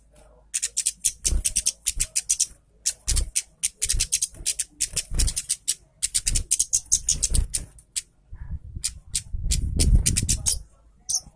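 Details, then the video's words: Orange-headed thrush in energetic song, used to encourage other birds to sing; fast volleys of high, sharp chirps separated by short pauses, with low rumbling thumps near the end. "KEMADE KEPALA MERAH GACOR MEWAH"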